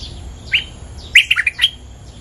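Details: Bulbul territory owner calling for a lure recording: one soft slurred note, then a quick cluster of four bright bubbly notes, ending on a higher whistle.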